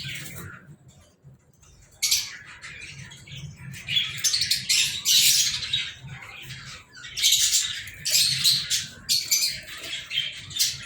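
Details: Lovebirds recorded on 14 February 2023 start quietly, then erupt into loud, harsh squawks and sharp chirps delivered in rapid uneven bursts, with a lull in the middle.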